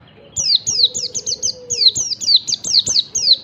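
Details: Wild yellow-breasted Oriental white-eye singing in the morning, a lure to prompt other white-eyes to sing: a quick series of high, sharp downslurred chirps, roughly five per second, with a faint low hum underneath.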